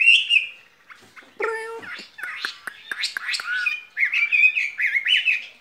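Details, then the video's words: Caged skylark giving a varied, jumbled song of short whistles, a low nasal note, scratchy chatter, and quick bright twittering phrases that climb and drop. "Chim quý ở lồng son ca bản tình ca mùa xuân"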